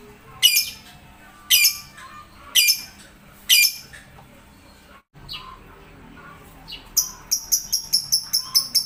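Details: Shrill lovebird squawks repeated about once a second, then after a short pause a fast run of sharp, high chirps that follows in quick succession.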